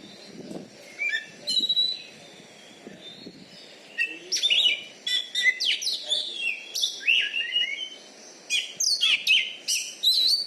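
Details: Champion Oriental magpie-robin kept as a competition bird in Bengkulu, praised for its loud voice and special fighting style. Varied sharp whistles, rising and falling slurs and buzzy notes come in rapid bursts after a quieter opening with faint low background noise.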